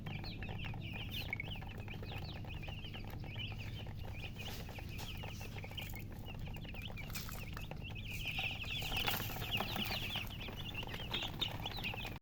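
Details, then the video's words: Freshly hatched chicks chirping in a dense, irregular chorus of thin high peeps, growing busier toward the end, over steady low background hum. "Tot Murgi chicks chirping sounds Just Born Baby Gallina FRACAS Chicks Piar Loudly Sound"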